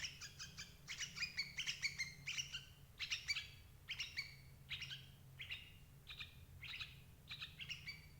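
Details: Lure recording of sooty-headed bulbul for catching parent birds: rapid bright chirps, harsh and slightly downward-bending, bunched in fast groups at first, then spaced about two per second, with a soft low background hum.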